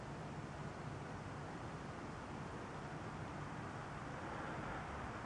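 Only a steady, low broadband rumble like distant traffic or wind is heard, with no animal calls.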